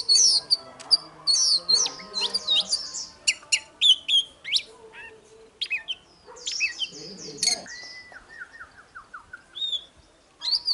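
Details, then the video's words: Oriental magpie-robin fighting song in the morning, a busy burst of loud whistles and chips, then a softer descending string of repeated slurred notes, a brief lull, and a final loud phrase. "Chòe than hót đấu//Kích chòe hót sáng"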